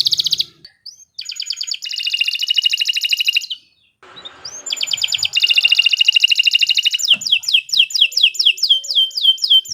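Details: Canary in full, long continuous song used for tutoring other birds: fast buzzy rolling trills at high pitch, a brief pause, then more rapid trills ending in a series of sweeping, downslurred whistled notes.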